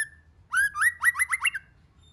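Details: A White-rumped shama sings a short phrase of its multi-voiced song, used to spur other shamas to sing. After a lone whistle, a quick series of six rising, slurred notes runs off rapidly.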